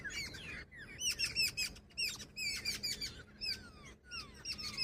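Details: Female jungle babbler producing bursts of shrill, grating chirps separated by brief silences, with some descending squeals between bursts.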